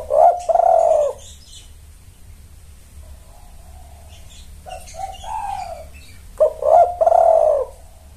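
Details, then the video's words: Spotted dove calling, played as a lure for males: two bursts of rough, mellow cooing separated by quieter soft coos, each phrase a quick stutter then a held note, faint higher twitters in the background. "Pancingan Tekukur Memanggil Pejantan"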